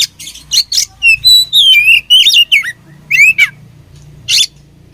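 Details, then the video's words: Fighting oriental magpie-robin from Indonesia delivering loud, slurred whistles that rise and fall, mixed with rasping buzzy bursts at the start and end, with a steady low droning hum underneath. "Beautiful Chirping Sound Of Fighting Birds"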